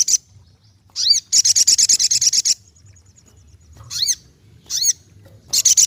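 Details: Ruby-cheeked sunbird mixing looping upslurred whistles with a quick burst of about a dozen high staccato notes, then repeated rising whistles and a final fast run.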